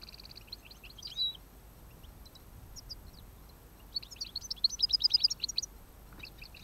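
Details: European goldfinch, recorded during an autumn goldfinch capture on 29 October 2017, sings bright, tinkling twitters and buzzy chirps in quick bursts, with a fast liquid run near the end. Faint background hiss.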